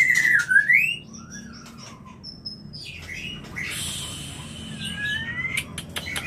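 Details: Mating call of a white-rumped shama, played to stir breeding: an opening loud sweeping whistle that dips then climbs, followed by quieter thin whistles and scratchy high notes over a low steady hum.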